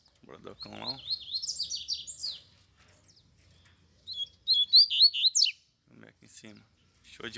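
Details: Caged double-collared seedeaters in hand answering a free wild bird singing behind them: two phrases of quick, sweet, high twittering notes with slurred rises, with a man speaking before and after.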